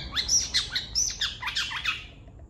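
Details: Long-tailed shrike in full voice for a master training recording: a brief run of rapid, bright chirps and slurred high notes, closely spaced.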